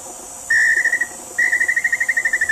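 Small-billed Tinamou giving two fairly high, whistled trills on a steady pitch, the second longer, with its notes running as a rapid pulsing series.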